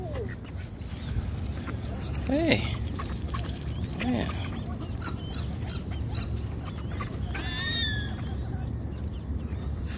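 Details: Big hungry goose being hand-fed gives a few short, nasal, rising-and-falling honks around the middle of the recording, over a steady low outdoor rumble with scattered clicks and faint higher chatter toward the end.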